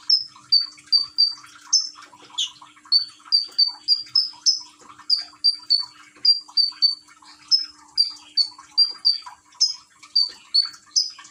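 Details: Common iora recorded by smartphone in Gresik, East Java, Indonesia, with water-trickle therapy: long series of piercing whistled notes in quick clusters of two to four, short pauses between, a gentle water babble and faint hum below.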